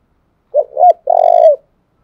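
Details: A single 'thúc gù' phrase from a Spotted dove in Đồng Nai, used to provoke decoy birds: two short mellow hoots, then a sustained slightly vibrating coo that drops away at its close.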